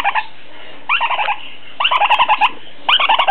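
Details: A male lineolated parakeet chick gives bursts of rapid, squeaky chattering chirps, about one burst a second, each a quick run of high notes; this higher, repetitive call is typical of males.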